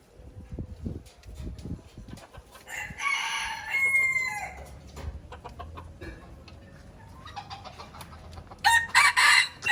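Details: Aceh red junglefowl crowing as a lure sound: a strained, clipped crow near the middle, a quiet stretch with faint clucks, then another loud crow breaking in at the end.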